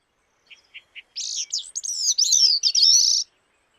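Bicknell's Thrush: three soft introductory notes, then a high, twisting, buzzy-fluted phrase that warbles down and up for about two seconds.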